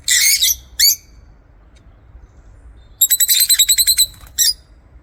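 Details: Aviary lovebirds with a loud, harsh screeching burst and a short squawk, then a rapid series of about nine stuttering chirps in quick succession and a final squeak.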